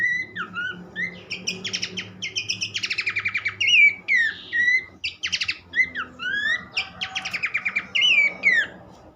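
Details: Continuous Horsfield's babbler song of upslurred and downslurred whistles interleaved with dry buzzy rattles, delivered rapidly, with low background hum.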